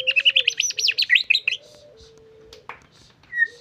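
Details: Caged white-rumped shama singing: a rapid run of bright whistled notes around the first second and a half, then sparse chips, with a low steady hum underneath.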